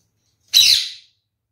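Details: A male kakariki, one of a pair, gives one harsh, scratchy, high-pitched squawk lasting about half a second, then stops; he is seen drinking a lot of water.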